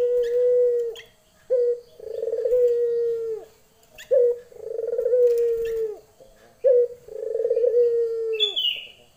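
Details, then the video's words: Female local Barbary dove, lenjeh type, calling to a male: low, steady coos, each a short clipped note followed by a long, drawn-out rolling coo, the pair repeated three times about every two and a half seconds, with a brief higher squeak at the end. "puter betina memanggil jantan.lenjeh"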